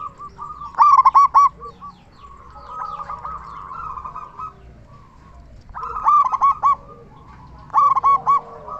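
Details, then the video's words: Loud local zebra dove singing to stimulate other zebra doves: three bursts of quick, clipped cooing notes, each a short rhythmic run, set against a steady background wash of softer cooing. "Perkutut lokal gacor suara besar cocok untuk pancingan burung perkutut supaya bunyi"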